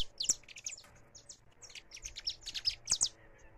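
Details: Live recording of a free saffron finch: irregular high, sliding chirps, sparse at first and then bunched into a brighter cluster near the end, over a faint murmuring background.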